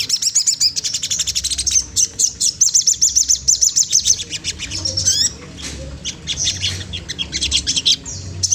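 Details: Magpie-robin singing to tease a rival, used to stimulate singing: rapid chattering series of very high, thin, repeated notes, then a pause and scattered sharp chirps and squeaks.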